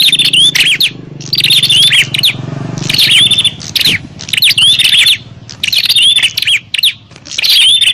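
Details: Bar-winged prinias fighting, recorded to call in wild prinias: loud bursts of harsh high chirps with thin whistled notes, interrupted by a stretch of low rumbling noise midway.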